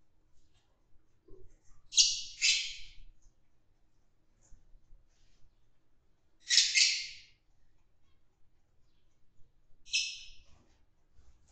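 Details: Fischer's lovebirds kept in an aviary or cage during group mating, harsh screechy squawks in three bursts about four seconds apart, otherwise quiet.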